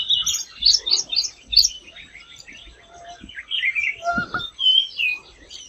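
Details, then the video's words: Tickell's blue flycatcher flitting through forest canopy in India, recorded on a Nikon Z8: a run of loud, sharp high tweets early on, then softer twittering with a brief lower double note near the end. "Tickell's blue flycatcher SOUND"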